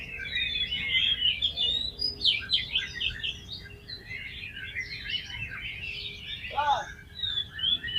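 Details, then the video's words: Oriental magpie-robin song used to stimulate other magpie-robins: a continuous stream of twittering and whistled phrases against noticeable background noise, with one lower swooping note near the end. "PANCINGAN KACER BOCOR ALUS ‼️ NGEPLONG BIKIN GAIRAH KACER LAIN CEPAT BONGKAR ISIAN"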